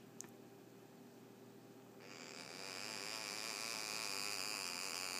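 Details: A quiet electrical hum gives way after two seconds to a louder, steady broad hiss, with no animal voice heard.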